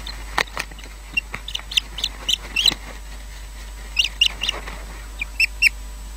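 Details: Osprey at a nest at Loch Garten, Scotland, in the evening as the male brings a fish and takes it away: short, high, whistled chirps in scattered runs, with a steady background hum.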